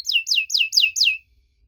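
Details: Canary lure song meant to make young canaries answer, heard as five clear, evenly spaced high notes, each sliding sharply downward, followed by quiet.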